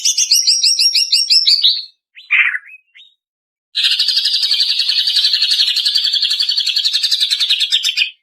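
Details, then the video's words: Female greater green leafbird lure audio meant to prompt caged birds to sing: a fast series of sharp, descending chipped notes, a short slurred whistle, then a long, even, buzzy trill of rapidly repeated notes, in clean silence. "Suara Cucak Ijo Betina"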